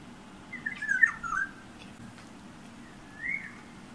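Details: Yellow oriole singing just outside a room window where it taps the glass; a fluid, slurred whistled phrase of several notes, a pause, then a brief rising whistle, against faint indoor background hum.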